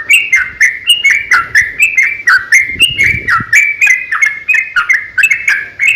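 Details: Yellow-vented bulbul in a long, rapid fighting song meant to make other bulbuls reply; even, bubbly, downslurred phrases repeated roughly three or four times a second, with a faint low rustle midway.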